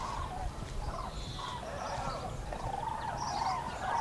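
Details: Common cranes flying over the Eifel on 6 March 2018; overlapping trumpeting calls from several birds in a steady mid-pitched chorus, with faint higher chirps and a low rumbling background.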